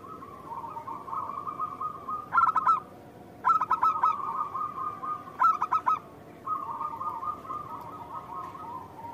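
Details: Local zebra dove in full voice, used as a lure to draw an immediate answer from other doves. Long trilling coos repeat, broken three times by loud, throaty, stuttering bursts, over a steady background hiss.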